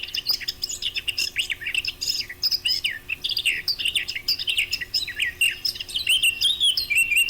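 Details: Eurasian blackcap singing, recording used as a lure for hunting: a continuous, dense stream of fast warbling, scratchy and whistled notes, ending in clearer fluting whistles, with a low steady hum behind.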